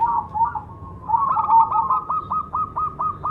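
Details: Cemani zebra dove in song: a wavering, slurred coo opens into a clear series of short, evenly spaced, clipped notes repeated about four times a second.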